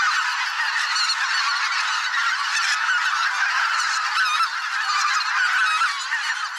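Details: Mixed flock of greater white-fronted, bean, barnacle and pink-footed geese, thousands of them migrating through a swamp in spring, producing an unbroken din of overlapping honking and cackling, some higher yelping notes standing out.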